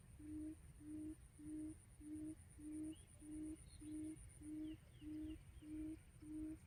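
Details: Quail lure call used for trapping quail: a low, steady hooting note repeated about every 0.6 seconds in an even rhythm, with faint high chirps from other birds and a steady high electronic whine in the first part.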